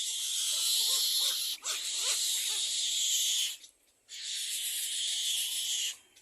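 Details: Little egret chicks at a second nest beg their parents for food with long, harsh, hissing rasps of one to two seconds each, with short breaks, under faint lower clucking notes.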